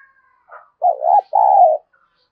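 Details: Lure-calling spotted dove in the thúc bổi manner gives a faint short note, then a loud two-part coo: a wobbling opening phrase and a smooth, sustained, slightly falling second note. No other sounds.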